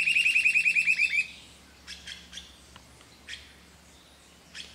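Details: Grey-hooded attila at Projeto Dacnis, Ubatuba, São Paulo, Brazil, 16 September 2016: a fast, loud series of about ten clipped whistled notes lasting just over a second. Faint scattered calls of other birds follow.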